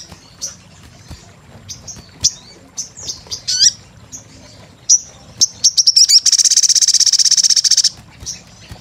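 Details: Sunbird in a lure recording: scattered high chips and a short squeaky phrase, then a fast, even, buzzy trill lasting about two seconds.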